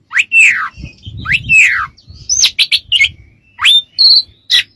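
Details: Oriental magpie-robin singing for use as a teaching recording: long descending whistles, rising sweeps, and clipped high notes, with a thin sustained tone between phrases.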